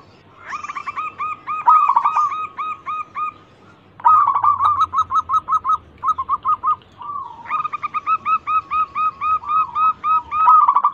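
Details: Zebra dove of a local strain, played to lure other birds into singing: steady strings of rapid, evenly spaced nasal coos in three long phrases separated by brief silences.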